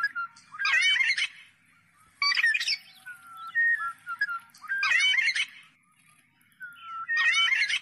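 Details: Black-naped oriole, also called Vàng Anh gáy đen, singing: short bursts of fluty, looping whistles mixed with harsher, scratchy notes, one phrase roughly every two and a half seconds, with quiet gaps and one drawn-out whistle between phrases.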